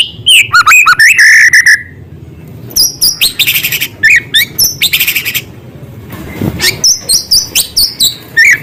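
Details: Loud White-rumped shama singing small-bird filler material: a rough descending buzzy phrase, then bursts of rapid metallic chattering and sharp chips, a short lull, and a closing run of quick repeated high whistles.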